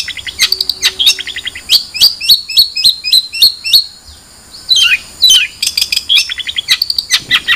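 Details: Long-tailed shrike song: series of sharp, high, slightly hooked chirps repeated at an even pace. There is a brief pause, then a burst of harsher squeaky notes and more rapid chirping.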